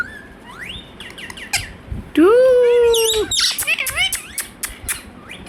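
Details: Pet Indian ringneck parakeet, a talking bird saying "Hello" and "Mithu Mithu": rising whistled notes, then a loud, long, buzzy harmonic note held steady for about a second, followed by quick squeaky chirps and swooping syllables.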